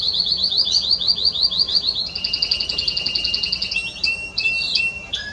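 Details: Recorded 30 May 2017, a Spanish Timbrado canary sings a rhythmic series of repeated sweeping notes, about eight per second, then switches to a flatter, lower rolling trill and a few scattered chips.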